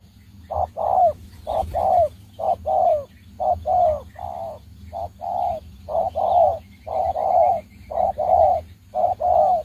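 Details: Spotted dove kept as a decoy for trapping, from Đồng Ngô, coos in repeated mellow low hoots, paired and single notes in a steady rhythm about once a second, over a faint low hum.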